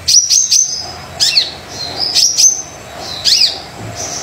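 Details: Brown-throated sunbird singing lively, used as a lure to prompt other sunbirds to sing: high thin whistled phrases with sharp clicking ticks, bursts of three notes spaced under a second apart, pauses between phrases.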